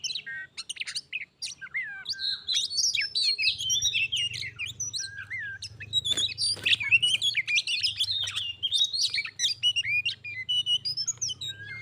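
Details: White-rumped shama, a caged bird confronted by a wild one in Indonesia during a singing contest that becomes a fight: busy stream of high whistles, chips and harsh rasps, over a steady low hum.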